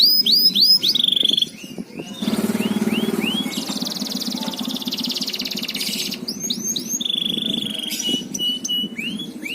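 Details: Canary song used as a lure to spur other canaries to sing: curved whistled chirps and a steady trill open and close the recording, with a buzzy rattling stretch and low background noise in between.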